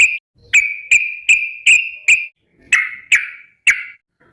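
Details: Yellow-vented bulbul calling to companions, giving a series of eight short, slightly buzzy whistled notes at a steady mid-high pitch, each starting with a sharp tick, about every half second.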